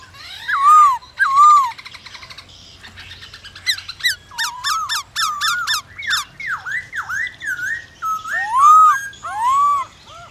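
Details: Varied song of a black-throated laughingthrush, used to spur other birds to sing. Rich slurred whistles, swooping V-shaped notes and clusters of sharp high chips alternate over about ten seconds.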